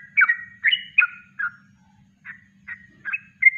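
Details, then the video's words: Yellow-vented bulbul singing its natural kongslet-style song, used as a master recording for training birds; short bubbly whistled notes in separate bursts, a pause near the middle, then quicker closing notes. "Masteran Trucuk Kongslet Alami"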